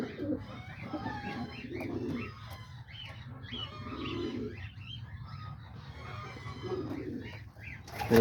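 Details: Homing pigeons at a loft in the early morning, around 9:30 to 10:00, give low, soft, rolling coos in bursts every two or three seconds while a man talks steadily; a hawk had attacked earlier.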